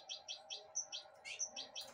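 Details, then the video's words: Goldfinch hybrid pet bird eating broccoli offered by hand; a steady series of sharp doubled chirps about every fifth of a second, one higher whistled note among them, over faint hum. "mixto de jilguero 2022 comiendo brokoli en mi mano, (piolin)"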